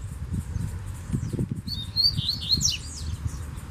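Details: Double-collared seedeater singing from a distance in a bamboo grove: faint high, twittering, warbled phrases over low rumbling background noise.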